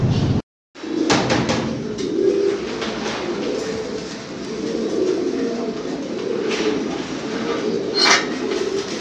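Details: Domestic fancy pigeons coo in a low, pulsing murmur of overlapping notes after a brief dropout near the start, with a few short clicks.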